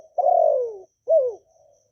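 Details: Spotted dove from Vietnam in call-urge-coo song aimed at getting new birds singing: a long, steady, gently falling coo, a brief gap, then a shorter downward-curving coo.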